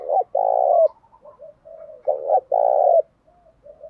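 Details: A spotted dove sings a provoking song to stir other doves to fight: two loud phrases, each a short clipped note and then a sustained, throaty rolling coo, separated by quiet murmured cooing.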